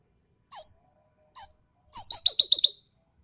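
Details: Sumatran common green magpie giving sharp, harsh calls: two separate short rasping notes, then a rapid stuttering burst of about six harsh notes in quick succession, with no other sounds.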